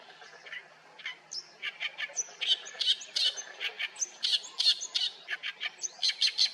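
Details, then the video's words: Oriental reed warbler singing in reeds at Haenam: a sustained stream of harsh, creaky 'gaek-gaek' syllables and short squeaky whistles, building in loudness and repeated about three times a second. "갈대밭에서 객객거리며 우는 새, 개개비"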